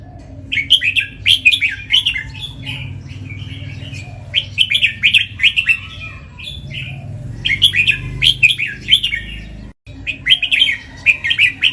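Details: Caged red-whiskered bulbul known for doubling its song at home and on the competition pole. It gives repeated clusters of quick, liquid whistled notes in several bursts with brief gaps, over a constant low background drone.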